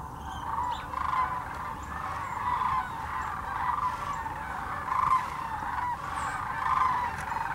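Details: Thousands of sandhill cranes gathered at a Tennessee wildlife refuge in Birchwood; a continuous chorus of rolling, mid-pitched calls swells and fades, several birds calling at once.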